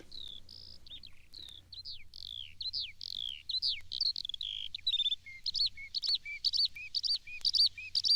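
A common linnet pours out a fast, run-on twitter of short, varied chirps and slurred notes, about two a second, over a faint low hum.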